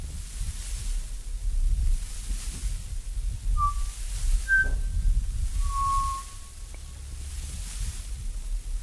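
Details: In Australia, a Pied Butcherbird gives three pure, flute-like whistled notes about a second apart, the second slightly higher, over a steady low rumble of wind.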